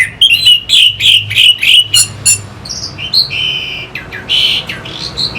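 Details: Orange-headed thrush lure song to rouse fighting birds: a rapid run of about seven loud, buzzy repeated notes, then varied short whistles and higher chirps.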